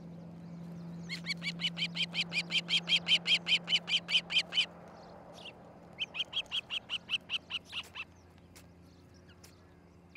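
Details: Nest-camera recording of an osprey pair at their nest near Charlo, Montana, on a July 2018 morning. Loud runs of piercing, whistled chirps repeat quickly and evenly. A long series is followed by a pause, then a second shorter burst, over a faint hum.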